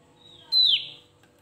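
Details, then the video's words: Single phrase from a Javan grey-throated white-eye singing to provoke rival birds, a faint level whistle that bursts into a loud, clear note sliding sharply downward and fading. "Suara burung Opior Jawa memancing EMOSI lawan"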